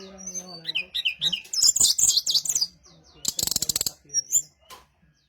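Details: Brown-chested jungle flycatcher song used as a lure to draw replies from other birds of its kind: varied high whistles and fast chirps, some slurred notes and a rapid rattling burst near the end, with a faint low hum underneath.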